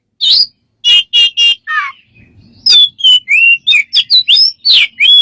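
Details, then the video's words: Bird with many strange sounds: a few buzzy chirps, then a falling squeak, a short quiet gap, and a rapid string of bright whistled notes of varied pitch. "smart bird have lost of strange sounds"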